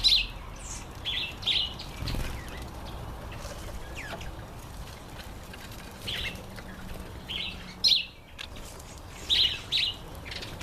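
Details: Red-collared widowbird during breeding season: brief, sharp high chirps in irregular pairs and clusters spread over about ten seconds, with soft rustling and faint background noise between them.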